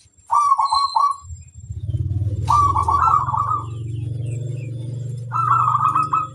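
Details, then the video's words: Local zebra dove used as a training song, three rolling phrases of quick stuttering coos, each about a second long, spaced a couple of seconds apart, with a constant low mechanical hum underneath. "Sang masteran burung perkutut - terapi supaya cepat bunyi"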